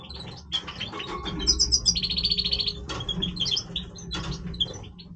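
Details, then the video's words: Goldfinch, Major form, singing its breeding voice: bright twittering notes leading into a long buzzy, rattling trill, then more high chirps and liquid phrases, a low hum beneath. "Stieglitz Major Breeding Voice - singing Goldfinch"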